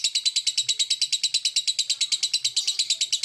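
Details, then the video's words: Lovebird chatter called 'ngekek': a relentless, evenly spaced run of shrill grating notes, around three per second, filling the whole stretch. "Burung Lovebird Memanggil Di sertai Ngekek, Di Awali ngetik lanjut ngekek"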